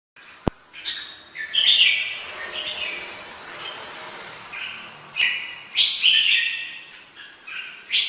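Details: Red-whiskered bulbul singing in short bursts of bright, warbled whistles with quick up-and-down inflections, phrases separated by pauses of a second or more, one sharp click near the start and faint background hiss.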